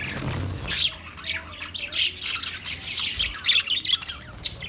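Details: Budgerigar singing, 14 March 2024, with a soft thump at the start, then a steady stream of chattering chirps and scratchy warbles and a flurry of high squeaky notes near the end.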